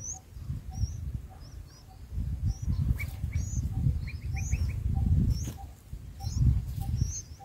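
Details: Nestling bulbuls fed by an adult: steady series of high rising chirps, with a brief cluster of lower quick notes in the middle, against continuous low rumbling background noise.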